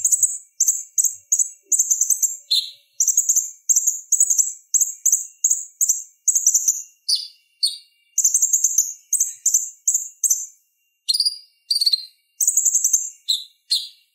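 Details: Purple-throated sunbird (konin) song used as a tutor for other songbirds: a long run of very high, rapid, buzzy chip bursts repeated almost without pause, sharp and piercing throughout.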